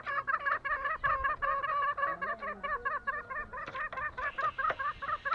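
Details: Lombok green junglefowl: loud pulsing series of wavering, nasal notes, about two and a half per second, with a brief low hum in the middle and faint hiss later.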